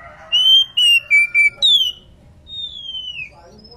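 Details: Female Oriental magpie-robin in breeding condition calling its companion: a run of loud, pure whistled notes, steady then dropping slightly, followed by a high downslurred note and a long, fainter descending whistle.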